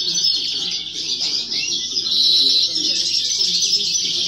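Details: Young female European goldfinch performing in a singing competition in 2018–2019: sustained high, jangling twitter with tinkling trills, set against murmuring voices and background noise.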